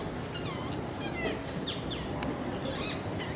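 Parakeets giving harsh, high screeches that sweep up and down, about a dozen in quick succession over a low rumble of background noise.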